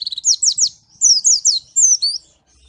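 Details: High, sweet whistled phrases from a white-eye (pleci) of Malang, Indonesia, each note a quick falling slur repeated in pairs and triplets at a brisk pace.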